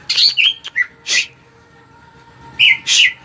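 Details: Greater green leafbird in full song, its song used to prompt other birds into singing: clustered sharp chirps and whistled slurs, then a pause, then a loud buzzy note and downward-sliding whistles.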